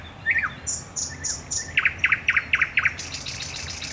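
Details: Thrush nightingale singing at night at the Raszyn Ponds, 10 May 2021: a few separate whistled notes, then a fast run of loud, evenly repeated clicking notes, ending in a denser, higher buzzy series.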